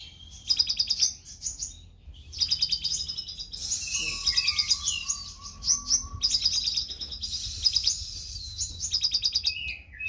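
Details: Konin lovebird in full, constant song used as training material for songbirds: dense bursts of buzzy, high chattering trills, repeated in rattling phrases, with a sustained shrill hiss and a steady low tone in the middle.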